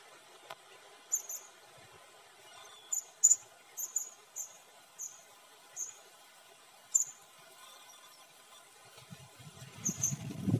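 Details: Blue-crowned hanging parrot, the red-necked serindit, being lured during bird trapping in Sabah, two birds landing on a sticky perch; thin, very high chirps given singly and in short pairs at irregular gaps, with a low rumble near the end.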